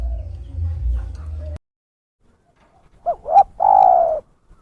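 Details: Spotted dove lure call, used by trappers to draw in wild doves: after low rumbling background noise and a silent gap, two short swelling coo notes lead into one longer, drawn-out, slightly falling coo.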